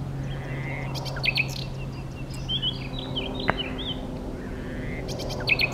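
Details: A common nightingale singing in mating season in Dutch west-coast dunes: varied phrases of short bursts of rapid, clicking chatter and brief high whistled notes, over a steady low hum.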